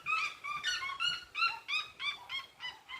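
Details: Red-legged seriema singing at dusk on a rural smallholding: a clear series of about nine loud, upslurred yelping notes, roughly three per second, each rich in harmonics.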